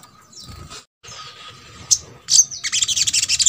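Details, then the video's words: Sogok ontong song played so that silent birds of its kind join in: a soft high twitter, then a piercing note and a fast, loud series of shrill repeated chips. "MASTERAN SOGON ( sogok ontong ) BAHAN AGAR RAJIN BUNYI"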